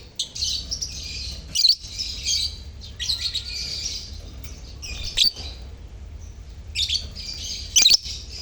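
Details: Colony of lovebirds chirping, played to stimulate mute lovebirds to sing: busy clusters of piercing, buzzy chirps from several birds, broken by brief pauses and sharp louder squeaks.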